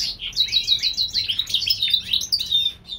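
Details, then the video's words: European goldfinch hybrid bred in California, singing in spring: a bright, hurried run of chirpy high notes that tumble together into a lively twitter with only tiny gaps. "European gold finch Hybrid/ The Spring time."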